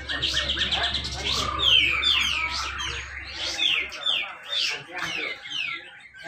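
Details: At a Malinau, North Kalimantan bird competition, a grey-cheeked bulbul pours out close-packed besetan rapet song to spur quiet birds: quick falling whistles and chirps, several per second, over low background hum that fades.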